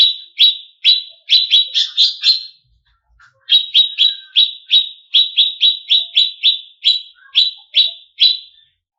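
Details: Greater green leafbird singing, played to provoke and excite competition birds: rapid series of sharp, clipped downslurred notes, several bursts closer together, a short gap, then steady repeated chips. Quiet background.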